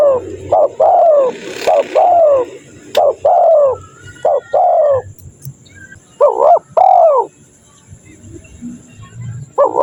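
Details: Lure call of a spotted dove for attracting wild birds: clustered hollow coos in quick pairs and triplets, a burst of several notes, a gap, then another pair and a final coo, over faint low background hum.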